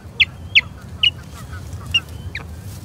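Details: Osprey at a nest in Charlo on 21 April 2022, during a skirmish with an intruding third osprey: four loud, sharp, downslurred whistled chirps with short gaps and faint hiss behind.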